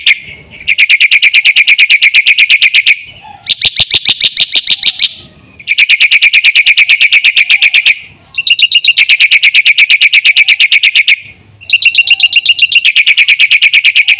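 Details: Energetic Black-winged myna song: loud bursts of rapid, grating, high chattering notes lasting two to three seconds each, separated by short silences, repeated five times.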